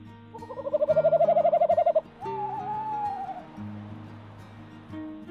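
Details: Tawny Owls at a new nest site in late February: the male gives ocarina-like calls for his mate, a soft, quavering hoot pulsing for about a second and a half, and she answers with a smoother, level hoot, over gentle music.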